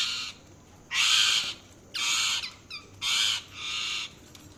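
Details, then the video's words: Harsh, raspy parrot calls, four drawn-out squawks about half a second each, spaced about a second apart, with a faint short chirp between two of them. "Parrot Chirping Sounds | Parrot calling sound"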